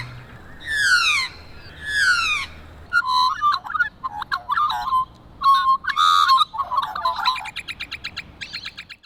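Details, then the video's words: Australian magpie (Gymnorhina tibicen) singing: two loud, rich, downward-sliding notes open the phrase, followed by a rapid, varied warble of fluty whistles, gurgles and quick repeated chattering notes over faint low background rumble. "Australian Magpies Singing"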